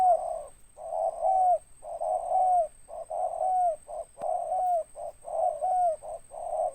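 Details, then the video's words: Tekukur, a local spotted dove with a big raspy 'ngeruk' voice and 'tindan' notes, coos almost continuously: back-to-back short and long notes, several ending in a downward bend, with one sharp click midway and a faint high hum. "Tekukur suara besar ngeruk ada tindannya"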